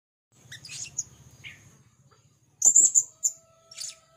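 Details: Blue-crowned hanging parrot of the 'rintik merah' type in lively gocor calling: thin, very high sharp chirps in two bursts, the second louder and clustered, with a low hum and a faint steady tone behind.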